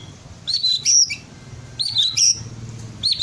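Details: Twelve-month-old captive-bred white-rumped shama singing to prompt other birds into song; three repeated high whistled phrases, each a quick slurred rising and falling run, spaced about one and a half seconds apart, with faint low background hum.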